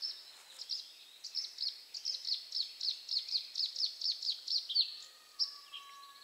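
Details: A bluethroat sings from bushes at 53.429339, 22.513884: a fast run of high, sharp chirps and ringing notes, about two a second, then a few varied phrases; quiet and thin.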